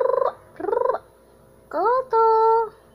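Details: Pet Amazon parrot, said to be afraid of the camera, giving two pulsing nasal notes followed by a rising whistle and a steady held tone.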